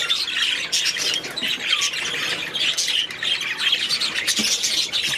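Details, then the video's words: Several budgerigars in their aviary give rasping squawks amid steady chirpy warbling, the chatter rising and falling in loudness without ever going quiet. "6 Hours of Budgies in their Aviary"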